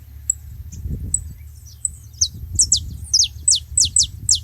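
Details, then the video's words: Several saffron finches making noise at a feeding spot: a few thin, faint high tweets build into loud, sharp descending chirps repeated about three per second, over low background rumble. "Canário da terra junto fazendo barulho na seva"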